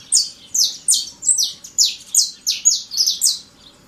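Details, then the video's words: Loud song of a wild Saffron Finch in nature: crisp, very high notes that drop in pitch, given in quick succession with uneven spacing, some paired, sounding sharp and ringing. "CANTO FORTE DO CANARINHO DA TERRA LIVRE NA NATUREZA"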